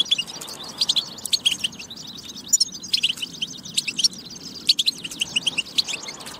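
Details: European goldfinch song, played to prompt other goldfinches to sing: rapid, liquid twittering of high chirps and trills in bursts with brief pauses, steady low background hiss.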